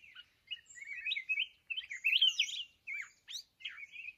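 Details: Red-whiskered bulbul of the mountain form, in Vietnam, singing near a decoy trap: clear slurred whistled notes in short phrases, a few sharp rising calls, with small pauses between phrases.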